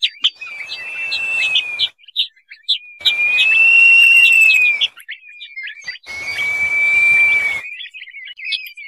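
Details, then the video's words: Crested partridge, called puyuh sengayan or peniol, in a lure call used to attract this quail: long level whistles repeated about every three seconds, with a slight rise and fall, amid quick high chirps and a hissing background. "suara panggilan burung puyuh sengayan atau peniol ( peniolan )"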